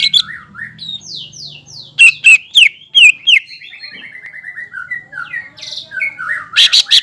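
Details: Greater green leafbird singing vigorously to provoke a rival leafbird: a varied run of slurred whistles and soft warbles, with a cluster of loud, sharp notes midway and a final burst of strong notes, over a faint low hum.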